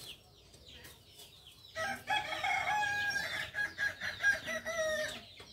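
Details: Kukuak Balenggek chicken from Solok, West Sumatra, crowing after a quiet start: a long chain of stepped, wavering tonal syllables that rise and fall in pitch over about three seconds, with some background chatter.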